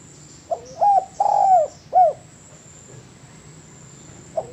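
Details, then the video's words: Spotted dove recorded as training material for cage birds: one phrase of a short lead note, a hooked coo, a long drawn croon and a falling last coo, followed by a quiet gap and a soft extra note. "MASTERAN DERUK YANG PALING DI CARI BANYAK ORANG"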